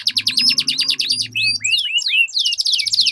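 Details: Rival canaries in a song duel with long rolls. Pulsing rapid trills and curved whistled notes sound over a low, droning hum that fades midway and returns at the end.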